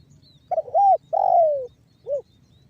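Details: Banggo bocor style song of a spotted dove, played to prompt other doves to call and coo: one full phrase of a stuttered opening coo, a long falling coo, then a short rounded final note.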